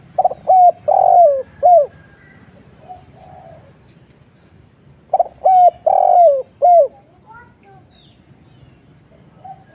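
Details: Repeated spotted dove cooing used as a lure: two matching phrases of quick short coos and a long falling coo, ending on a clipped note, with softer cooing from another dove in the pauses.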